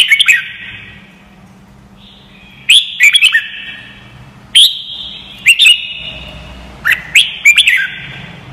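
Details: Red-whiskered bulbul song for teaching young white-cheeked birds: sweet whistled phrases of two to four quick notes recurring every one to two seconds, each leaving a ringing echo behind it.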